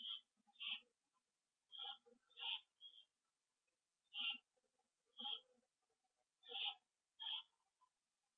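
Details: Owls back at their nest, evening of 27 September 2011 at 7:08 PM, seen on a live camera; about eight short raspy high calls in loose pairs, some with faint low murmurs between them.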